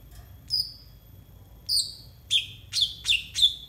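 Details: Brown-throated sunbird (konin) singing for tutoring untrained konin birds: two high descending whistles, then a quick run of four loud, sharp chirps with falling tails.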